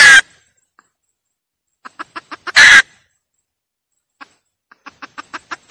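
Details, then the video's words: Hen cackling, used as a lure to catch birds: two loud, harsh squawks bursting out about two and a half seconds apart, each followed by a quick series of short clucking pulses, with silence between. "tiếng gà mái cục tác"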